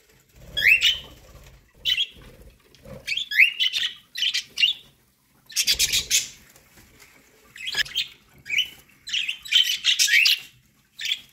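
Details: ['Pet budgerigars feeding on corn keep up lively, rasping chirps and squeaky warbles in irregular runs separated by brief silences, with some low rustling.']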